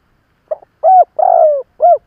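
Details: One crisp phrase from an experienced Spotted dove decoy used to provoke rivals: a soft stuttering pickup, a smooth low coo, a long trembling crooo falling at its end, and a rounded final coo.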